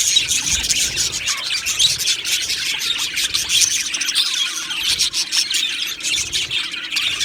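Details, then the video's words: Chattering budgies in an aviary colony, singing and chirping: a thick wash of high, rapid twitters and warbled notes for about seven seconds, with occasional harsher squawks. "Beautiful Budgies Singing and Chirping Sounds"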